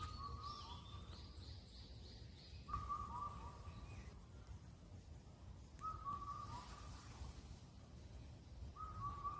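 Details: Indian cuckoo recorded on Cheonmasan in Incheon, Korea, where it calls all night as spring ends. Evenly timed four-note whistles repeat about every three seconds. A higher bird twitters briefly at the start, and a constant low hum runs underneath.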